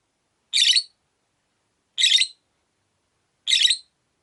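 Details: Caged rosy-faced lovebirds, five kept together by a window; three rasping, shrill chirps spaced roughly one and a half seconds apart, evenly repeated against a quiet background.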